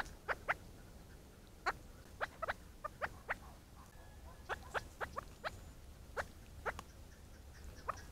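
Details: Chukar partridge giving a run of short, sharp, dry clucks, some single and some in quick pairs or triplets, about eighteen notes over eight seconds at an uneven pace, over a low steady rumble.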